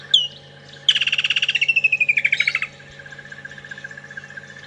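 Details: Woodland Kingfisher on a morning safari drive at Djuma and Arathusa, 22 November 2014: a sharp single note, then a loud rapid trill sliding downward for about two seconds. Engine hum and faint notes from another bird sound behind.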